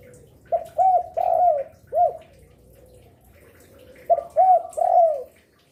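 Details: Spotted dove singing to lure other doves: two low cooing phrases, each a short stutter then arched coos ending in a drawn-out falling note, with faint background hum in between.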